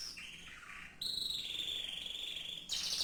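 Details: Canary producing long sustained whistled tones, one steady high note held for well over a second between shorter pitch-shifting phrases, in a quiet setting.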